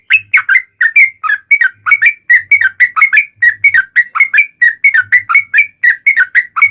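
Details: Energetic yellow-vented bulbul song in a long rapid-trill style, played as a lure to get bulbuls answering: an unbroken stream of bubbly, slurred whistled notes, close together and slightly uneven in pace.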